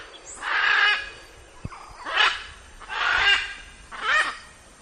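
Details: Macaws giving four loud, harsh, raspy squawks, each close to a second long and spaced roughly a second apart, with a short click between the first two.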